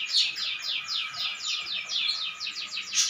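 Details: Short burst of canary song: slurred, bright whistled notes sweeping downward, repeated quickly in small groups, with a faint click at the end.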